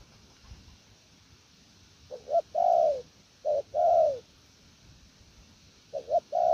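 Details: Spotted dove, a wild-caught bird, delivering 'gù lèo nước' coos after two seconds of quiet: soft paired lead-in notes, then a drawn-out, gently descending low coo, heard three times.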